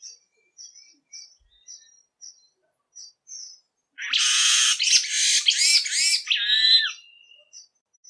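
Jamaican Oriole: a few faint, thin, high notes, then a loud three-second burst of harsh, buzzy chattering phrases ending in a clearer nasal note.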